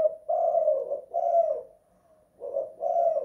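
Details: Spotted dove (tekukur) kept in the house, cooing 'kuk 2 / guk 1': two low burry double coos separated by a near-second pause.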